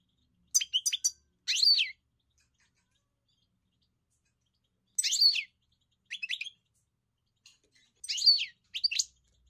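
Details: European goldfinch giving short, separate bursts of high, twittering chirps, spaced by a few seconds of near silence.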